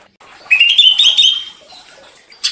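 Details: Greater green leafbird (cucak ijo) singing agitated after provocation, in the rattling ngentrok style: one clear whistled note, slightly rising and wavering for about a second, then a faint pause and a short buzzy burst at the end.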